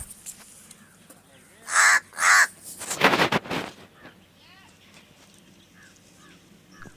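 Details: A pet talking crow in Palghar, spoken to in Marathi in May (mango season), gives two loud, harsh caws in quick succession, then a burst of rough, noisy calling; a man's voice and faint background chatter are heard.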